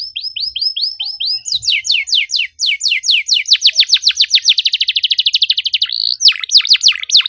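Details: Dense canary song meant as a lure for birds that have stopped singing: soft looping whistles, then quick descending chirps that accelerate into a rapid buzzing trill, followed by loud sharp down-sweeps.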